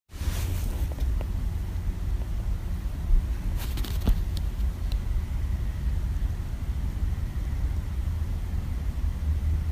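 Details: A steady low rumble of passing road traffic fills the recording outdoors, with a few faint clicks and no animal call standing out.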